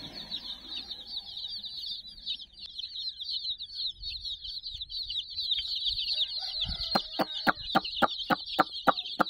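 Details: Constant high-pitched peeping from a group of about sixty chicks playing with a teddy, with faint lower notes in the middle and a quick series of sharp taps over the final three seconds.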